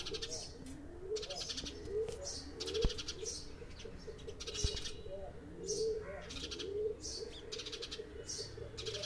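Several house sparrows chatter in a busy flock, with bright, rapid chirps overlapping almost continuously, while a dove coos low and steadily in the background.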